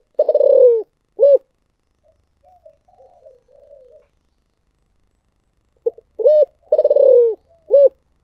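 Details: 'Giọng thổ sấm' cooing from a spotted dove: a long burred falling coo and a short hollow note, a stretch of soft mumbling, then the full phrase again with clipped notes around the rolling coo.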